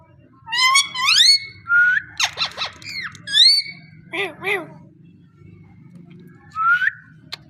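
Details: Parrot talking, a mix of rising whistled calls, squawky speech-like syllables and a pair of harsh repeated notes near the middle, separated by short pauses; a faint low hum runs underneath throughout.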